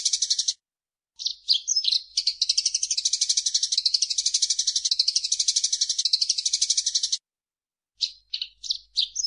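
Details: Eurasian tree sparrow singing vigorously: short chirps, then a long, even burst of rapid, high, rattling notes lasting about five seconds. After silence, a few scattered twitters.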